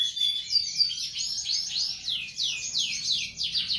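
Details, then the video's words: Bird song for tutoring caged birds: a rapid, steady series of high, downslurred chip notes, roughly three or four each second, forming a rolling twittering trill over a quiet background. "Berbagai suara burung masteran"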